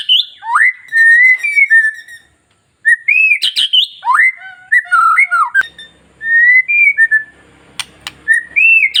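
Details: Long-tailed white-rumped shama, a kept bird, singing to stir other shamas into song: loud rich whistles sliding up and down, clear fluting phrases with sharp upswept notes, broken by a short pause midway.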